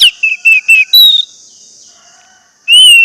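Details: Orange-headed thrush singing, played to stimulate caged birds: quick whistled notes, a longer level whistle, a pause, then one sustained clear whistle, with faint hiss behind.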